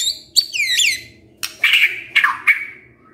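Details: White-rumped shama song used as a lure to provoke a reluctant male into singing: clear whistled notes with sweeping falling slurs, then a pause and several sharp bursting phrases descending in pitch, on a quiet background.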